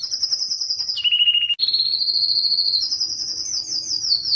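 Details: Yellow canary singing high, fast trills: a bright warble dropping to a lower choppy roll, then a long steady high trill rising by small steps.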